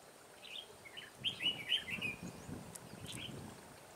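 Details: Red-whiskered bulbul, a decoy bird used for trapping, 21 March 2017: one lively phrase of four or five quick, bubbling whistled notes, followed by fainter chirps, with soft low rumble and hiss behind.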